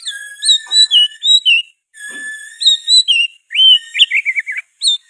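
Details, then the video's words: Oriental magpie-robin in vigorous, extended song mixed with sooty-headed bulbul phrases. Sustained pure whistles carry bright warbled notes, with a fast burst of falling, slurred phrases toward the close. "KICAUAN KACER GACOR MBESET ISIAN KUTILANG"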